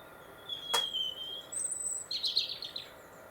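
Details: European robin singing in winter along the Monarch's Way in Warwickshire, England: a long thin high whistle, then a very high note and a scratchy warbled trill, over a quiet hiss with one short sharp click.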